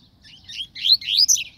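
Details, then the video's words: Double-collared seedeater singing a brief phrase of soft chirps that swell into loud, upward-sweeping whistled notes, ending abruptly. "Coleiro canto top"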